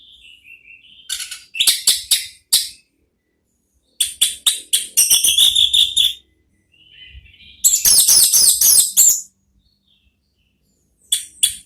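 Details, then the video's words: Orange-headed thrush, therapy song used to lure thrushes into answering: bursts of harsh, rattling notes and fast chattering phrases alternate with soft whistled slurs and silent gaps, with a low thud or two in the background. "belajar NGEPLONG cocok untuk MEMANCING ANIS MERAH supaya ikut NYAUT ¦ KICAUAN TERAPI"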